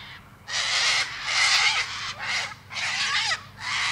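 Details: Four loud, harsh cockatoo screeches, each about half a second to a second long, separated by short quiet gaps.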